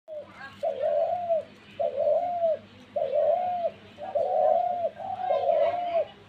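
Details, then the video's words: Dove giving a steady run of mid-pitched, drawn-out cooing notes, each flat and slightly bowed, repeated about once per second, five in a row over a faint low hum. "ঘুঘু পাখির ডাক দিয়েছে"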